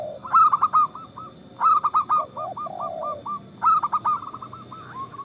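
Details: Three bursts of zebra dove song from lively, loud local birds meant to prompt others to sing. Each burst opens with a sharp accented note, then quick repeated coos, with a low sliding note between bursts.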